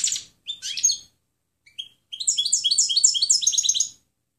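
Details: European goldfinch clean song (canto limpio) for training other birds: a few short high chirps and a brief buzzy note, then a fast bright twittering run of rising and falling notes lasting about two seconds.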